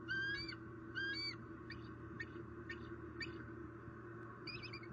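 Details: Vocal bald eagle at a Southwest Florida nest on 20 October during a squirrel prey delivery; thin squealing notes, two stronger then several fainter stutters, over a constant low hum.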